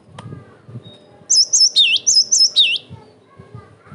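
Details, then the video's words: A single bright phrase from a cinereous tit, used as a provoking and training recording: about five quick high whistled note pairs, alternating with lower looping swoops, framed by quiet low background noise. "TIDAK ADA SEMENIT GELATIK BATU MANAPUN PASTI NYAUT"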